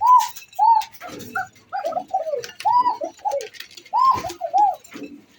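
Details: Male red Bashiraj Koka domestic pigeon cooing: loud arched coo notes, each swelling and dropping, in stuttering clusters about a second apart, with softer low grumbling notes between and light clicking in the background.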